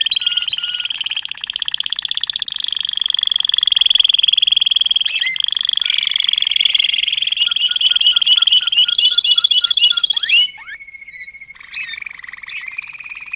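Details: Malinois canary singing a long rolling trill with occasional whistled accents, changing tour near the end into a higher buzzy roll, then quieter held notes.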